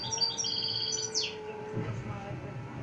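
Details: Goldfinch from Montijo, Extremadura, singing without pause: a fast run of bright, high twittering notes ending in a sharp downward slur, over a steady low tone and faint background noise.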